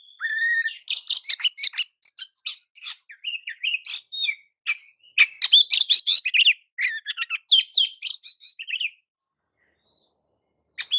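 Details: Oriental magpie-robin singing a provocative song meant to excite other magpie-robins: a long run of quick, scratchy chirps and high whistled notes for about nine seconds, then silence before one closing note.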